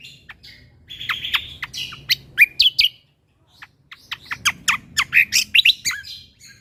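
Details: Lesser green leafbird (cucak kombo) singing actively, a recording meant for tutoring songbirds with tembakan phrases: bursts of sharp chirps and quick downslurred whistles, a pause near three seconds, then a denser run of chips and twitters.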